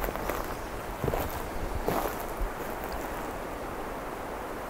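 Outdoor rumble of wind and moving water with a few dull knocks and footstep-like thumps, and no animal voices.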